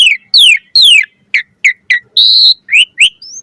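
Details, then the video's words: Asian pied starling in energetic 'gacor mompa' song, varied chattering: long descending whistled slurs, then short clipped notes spaced evenly, a buzzy sustained note and two upslurred whistles, all close and clean. "Jalak Suren Gacor Mompa Full Variasi Ocehan"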